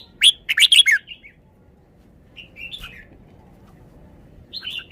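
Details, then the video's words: Red-whiskered bulbul with a well-regarded song style. A loud, quick cluster of harsh, bubbly notes is followed by short soft whistles, a pause, then a brief whistled phrase at the end. "นกกรงหัวจุก จ้าวมาดี สำนวนดี"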